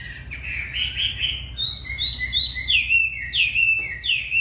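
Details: Very tame wambi singing actively: a quick sequence of high whistled notes, several sharply falling then levelling, repeated about every half second in a bright, continuous phrase over faint hum.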